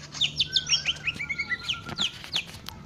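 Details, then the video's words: Greater green leafbird giving a quick series of sharp, slurred whistles and chirps at varied pitches, mixed with a few clicks, over a steady low hum. "burung cucak ijo"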